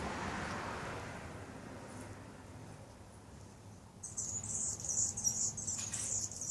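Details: Male hummingbird singing from a perch near garden feeders while on guard: after a quiet start, a run of thin, very high, squeaky, buzzy notes repeated rapidly over the last few seconds above a low background rumble.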